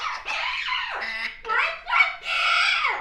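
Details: Baby African grey parrot, kept as a pet indoors, chatty in the afternoon, giving a run of loud, speech-like harmonic phrases that sweep up and down, with a yellow-naped Amazon parrot also kept in the home.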